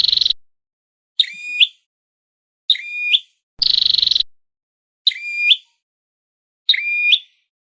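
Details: Red-headed flowerpecker sound used as a lure for trapping birds: short bright notes with a rising upswept end alternate with two buzzy, rapidly pulsed bursts, in a loose pattern about every one and a half seconds.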